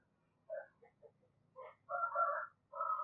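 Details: Spotted dove kept as a decoy, calling to draw in wild doves. Soft, faint coos with overtones: several brief notes, then a longer rolling note and another starting, over a low background hum.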